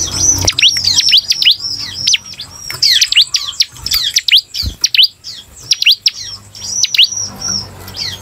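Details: Bar-winged prinia (ciblek) singing in the 'semi' style, used to stimulate other prinias to sing. Loud, rapid series of sharp, high whistled notes, each sweeping steeply downward, delivered in quick clusters with brief gaps.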